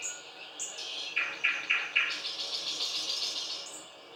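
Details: Thrush nightingale song: a high whistle, four loud clicking notes in a steady row, then a softer, faster rattling series with a closing high whistle.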